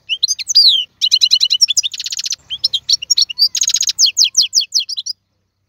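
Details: European goldfinch male song used for tutoring chicks: a fast, bright medley of twitters, dense buzzy trills and sharp repeated notes, with a short pause near the start, on a clean background.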